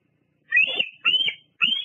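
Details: Female bald eagle perching at her Fraser Point nest in the evening, 17 July 2022, on a live nest cam; three long, shrill, slightly wavering whistled squeals, the middle one cleaner and higher.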